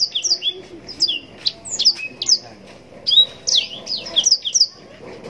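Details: Yellow-rumped serin, known locally as blackthroat, giving a bright, high twittering song of swooping whistles and clipped notes, two phrases split by a short pause.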